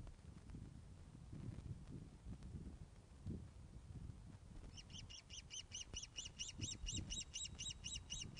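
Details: Osprey at the Loch of the Lowes nest, webcam recording from 21 August 2012, 16:35, at a fish delivery; after a few seconds of low rumble, a long run of shrill, evenly spaced whistled chirps fills the rest.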